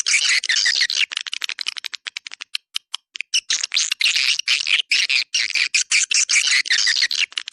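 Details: Swiftlet calling sound, "Dua Bidadari" style, played to attract swiftlets in a central swiftlet area: dense, overlapping buzzy chattering with rapid clicks and twitters, almost continuous, with a short sparser stretch of ticking notes midway.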